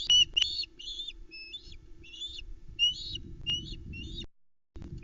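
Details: Osprey female at a Loch Arkaig forest nest, calling as the late-night fish supper arrives for the chicks, 8 July 2020; spaced, harsh, slightly downslurred screeches over low rumbling background noise.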